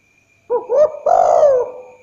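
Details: Night-time call of a spotted dove, used as a lure recording: a brief rising coo, then a drawn-out mellow coo that slowly falls and fades, with a faint constant high-pitched tone behind it.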